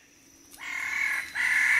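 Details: Wallace's standardwing, recorded close up at Labilabi, giving animated group calls from the junior perch: silence, then harsh, buzzy, sustained calling that pauses briefly and resumes louder.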